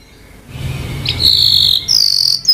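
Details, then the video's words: Timbrado canary singing: a steady, rolling high trill held for almost a second, then a second, higher sustained trill after a short break, with a faint low hum underneath. "Timbrado canary singing beautiful melody"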